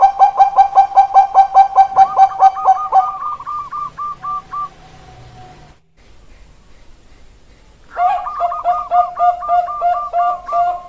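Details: Zebra dove, Bangkok perkutut strain, recorded 16 October 2023, opening with a long fast series of strong whistled coos that slides into quicker higher notes, then near silence, then another mixed burst of rapid cooing.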